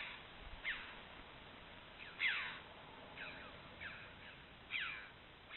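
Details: Red-billed choughs filmed by camera trap among limestone canyons, uttering strident, descending harsh calls spaced roughly a second apart, about five separate notes over a faint background hiss.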